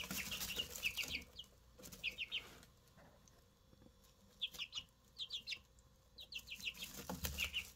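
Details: Brand-new Easter Egger chicks, freshly hatched, giving bursts of rapid high peeps in clusters of three or four, separated by short pauses, over faint background hum and shuffling.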